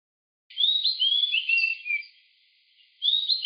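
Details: Oriental magpie-robin at Pench National Park, Madhya Pradesh, India, giving a run of clear, varied whistled notes, sliding up and down, then a short pause before another rich phrase.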